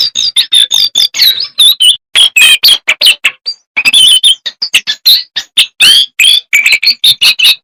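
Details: A jongkangan sings in full flow with fill-in phrases and bursts: long, dense chains of high chirps and wavering whistles, broken by one brief pause midway.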